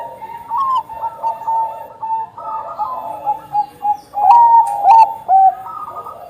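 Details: Singing zebra dove of the Bangkok strain, used to coax other perkutut into singing. Mellow cooing phrases rise and fall, building toward louder, bright whistled notes near the end.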